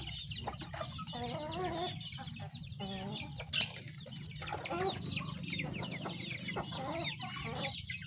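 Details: Chickens feeding together with their young: a busy chatter of high, down-slurred chick peeps and soft clucks, mixed with pecking taps over a steady low hum.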